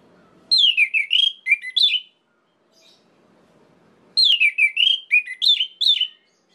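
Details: Orange-headed thrush song used to make other orange-headed thrushes rage: two bursts of rich, slurred whistled phrases, descending then rising, separated by a two-second pause, with quiet background hum.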